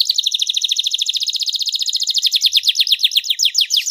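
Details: Canary singing in a long training recording praised for spicy bursts and rich melodic phrasing; a fast, even trill of sharp descending notes repeated many times per second, high-pitched and continuous, with no background sounds.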